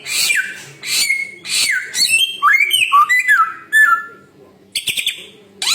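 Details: Samyong bird opening with three harsh, noisy bursts about half a second apart, then a fast series of short whistled notes that rise and fall, ending in a pause and another rough burst.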